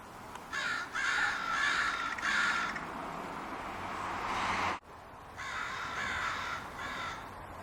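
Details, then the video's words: Crows cawing around a big walnut tree on a spring evening in Portland: a run of harsh, rasping caws in quick succession, a pause, then another short burst of three caws over steady background hiss. "Crows Caw"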